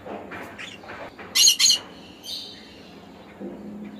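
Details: Conure calls as a pair of harsh, raspy squawks in quick succession, with softer chatter before and a thin buzzy note afterward.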